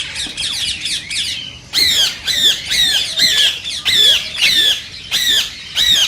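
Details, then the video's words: Rose-ringed parakeet voice played to stimulate singing and mating: harsh, high squawking notes in rapid bursts, each a sharply falling screech, with short pauses and a louder series after the first two seconds. "صوت ببغاء الدرة الخضراء"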